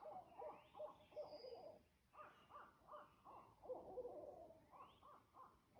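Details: Low-pitched Barred Owl sounds: a run of rhythmic hooting and cackling phrases, about three per second, broken by a short pause and then resumed, with faint hiss behind.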